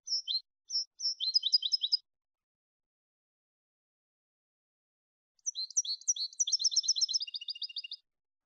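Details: European goldfinch singing a clean Malagueño-style song used for tutoring goldfinches: two bursts of high, rapid twittering phrases with buzzy repeated notes, separated by a long silence.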